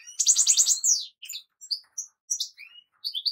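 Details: Goldfinch song opening with a rapid buzzy trill, then scattered clear high chirps and short twittering notes spaced by small pauses.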